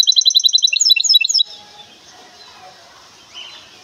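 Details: A goldfinch hybrid from Temara delivers a brisk burst of high, tinkling, repeated twitters lasting under two seconds, followed by faint background murmur.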